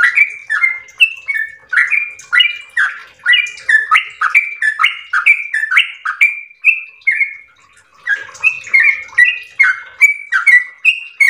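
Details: A yellow-vented bulbul sings a long 'ropel' run of rapid bubbly whistles, about twenty-five notes rising and falling, with a short pause near the middle before the phrasing resumes.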